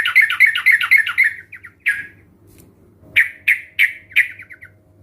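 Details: Lure recording of several sooty-headed bulbuls, used to get quiet bulbuls singing. A rapid rolling series of warbled notes fades, then after a pause four or five loud separate chirps follow in steady succession.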